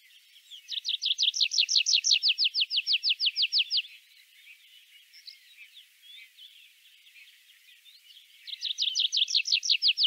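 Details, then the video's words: Tree pipit from Central Russia singing: two fast trilled phrases of rapidly repeated sharp descending notes, the first lasting about three seconds, separated by a quieter gap with faint chirps. "Forest Horse"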